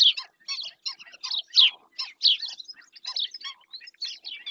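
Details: Black-winged stilt in Doñana National Park, Spain, recorded by webcam: rapid, shrill yapping notes in quick clusters, strongest at the start and around one and a half and two and a quarter seconds.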